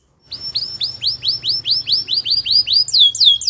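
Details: White canary singing a training song: a run of bright, swooping whistled notes repeated about four times a second and growing louder, finishing with higher, quicker slurs.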